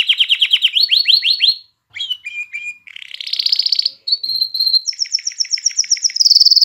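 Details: Canary song used to stimulate females to mate and encourage young birds to sing: a rapid sequence of changing phrases, with fast repeated downward-sweeping notes, a dense buzzy trill, steady whistled tones and high rattling rolls, all clean with no other sounds.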